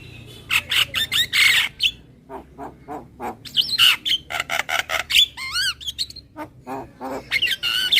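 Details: Lure call of a Javan myna, billed as super whiny: loud grating squawks, rapid ticking notes and a wavering whistled phrase, with quieter clicks between bursts.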